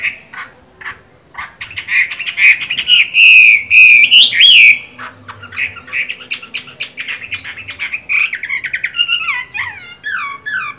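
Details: Moulting caged Chinese hwamei, eyes marked green-bean, still in good voice: sharp descending whistles alternate with rattling squawky bursts and a sustained wavering whistle, phrases restarting every couple of seconds.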